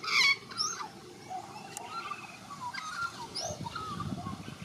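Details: Young white-backed Australian magpie in Australia practising its warble. A loud, harsh burst opens, then scattered fluty whistles and brief slides follow over a low background rumble.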